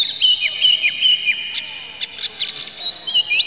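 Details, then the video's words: Oriental magpie-robin, an agitated bird spreading its tail, singing to provoke other magpie-robins: short whistled phrases near one pitch with rising slurs, broken by sharp high clicks and ticks; a faint steady tone runs underneath. "dijamin kacer langsung ngamuk2 dengar kacer ini bongkar emosi buka ekor ngobra full isian"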